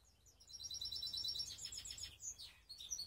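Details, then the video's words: Baster canary from Skopje, Macedonia, delivering a rapid high trill that shifts into descending chirped notes and then a fresh burst of bright twittering, with faint background hiss. "BASTER, TRNAN by RASO, Skopje, Canary mixed best song"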